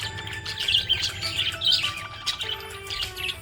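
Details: Happy budgie chirping: a busy stream of quick high chattering chirps and warbles, with steady music playing underneath throughout.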